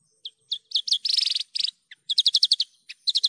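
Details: Clear tutoring recording of a Javan bush lark: spaced chirps lead into a dense buzzy rattle, followed by isolated notes and a quick run of sharp repeated chirps.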